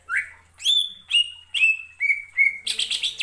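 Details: Greater green leafbird lure song: a measured series of whistled notes, each rising then levelling, repeated about every half second and gradually lowering, closing with a rough buzzy chatter.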